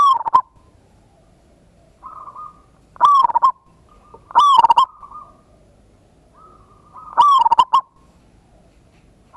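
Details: Local zebra dove used as a lure to provoke other doves to answer, 'ngayer kerot nutut' style, recorded 16/11/25: loud bursts of rolling, throbbing coos, with a softer second dove cooing in between.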